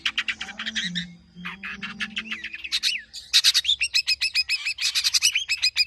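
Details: Long-tailed shrike, tame and in full song, packed with mimicked fills for training other birds: continuous varied chattering, buzzy notes and slurred whistles, ending in a long rapid string of loud clipped notes; a faint low warbling sound underneath early on.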